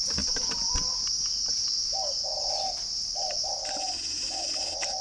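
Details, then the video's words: Captive spotted dove in Ba Vì district, Hanoi, Vietnam: after a short pause, three deep cooing phrases, each a quick note then a longer sustained one, roughly every 1.3 seconds, with a continuous high cricket-like hum and scattered ticks. "chim cu gáy"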